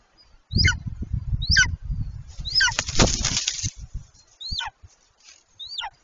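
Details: Golden eagle mating on the nest, late March 2023, from a nest camera: heavy wingbeats and flapping for the first few seconds, with five high, descending, piercing yelps spaced about a second apart.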